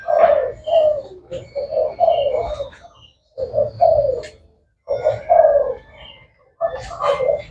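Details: Spotted dove cooing: low, rolling, hoarse coo phrases in four bursts about one and a half seconds apart, with brief quiet gaps and faint higher chirps from other birds.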